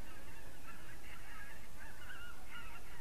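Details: Evening recording of geese from 3 October 2015, a near-continuous chorus of overlapping nasal honks, some rising and falling, over a heavy low background rumble.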